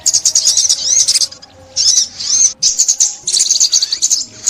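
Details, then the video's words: A sunbird's high-pitched song from Vietnam, 2021, used to lure birds for trapping: three bursts of fast, thin twittering with looping slurred notes, separated by brief silences. "Tiếng Chim Ốc Mít , Bẫy Chim Ốc Mít 2021"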